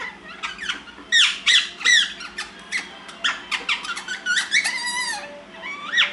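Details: Indoor pet ringneck parrots chat to one another during nap time, producing loud squeaks, harsh squawks and a drawn-out whistled note amid rapid, uneven chattering bursts.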